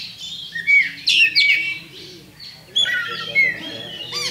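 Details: Song of a champion Oriental magpie-robin played as a fighting lure: loud, clear whistled phrases with slurred notes, broken by brief quieter gaps of soft twittering.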